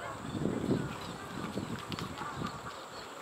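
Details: A greater painted-snipe, one of 7 or 8 seen this year at Saul Kere lake, Bangalore, on 8 August 2021, gives a few low, soft hooting notes, then quieter low pulses against steady, noisy wetland background.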